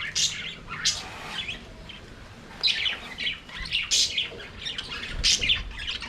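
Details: Aviary budgerigars singing and playing: high, scratchy, squawky chirps and chatter rise in bursts about every second, with short gaps between the louder outbursts.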